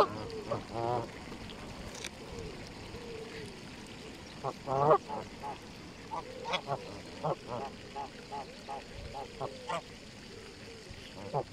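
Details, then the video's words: Canada geese on a park lake at Longton Park, Stoke on Trent, on a sunny spring day, 16 April 2022, coming across to feed; repeated short nasal honks from several birds with ducklike calls mixed in, over steady background hum. "Canada Geese on the Lake."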